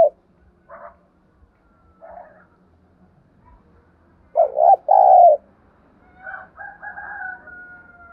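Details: Spotted dove lure bird calling to excite wild doves: faint soft coos early on, then a loud two-part cooing phrase, then hoarser, quieter coos. Quiet background with a few soft clicks.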